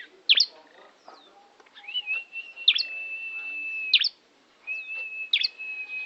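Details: Tame bar-winged prinia from Kawali, Ciamis: sustained level whistled trills broken by loud sharp chirps roughly every second, one short silent gap, faint background hum.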